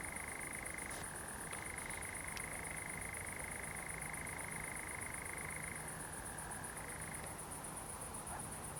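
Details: Sustained churring of a common nightjar at night among pines in Zamudio, Txorierri, Bizkaia, on 7 July 2020. The trill runs continuously, dipping briefly in pitch twice, while a high, pulsing insect chorus and low hum continue behind it.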